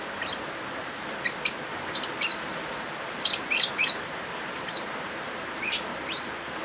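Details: Lovebirds with added rain sound, intended as therapy for birds reluctant to sing: rapid runs of shrill chirps, bunched into busy clusters with brief pauses, over a steady hiss of falling rain.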